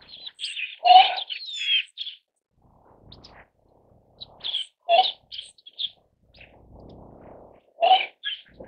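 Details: Siberian crane, also known as Siberian white crane or snow crane, calling in loud, clear bugling notes, each with a strong ringing tone, given in bursts of several notes separated by pauses, with soft background rustling.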